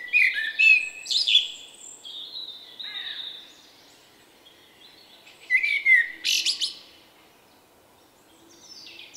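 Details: Singing male common blackbird, a shy bird whose unusual song sounds like 'vuippi vuippi vuuu', March 2024; two loud bursts of warbled, fluty notes mixed with high twittering, separated by a quiet gap.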